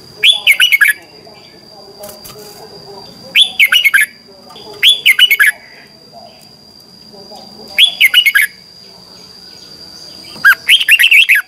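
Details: Red-whiskered bulbul singing competitively in the morning, a lure recording for training birds: short harsh, rattling bursts of a few notes each, spaced about every two to three seconds, with faint chatter and a steady high whine between.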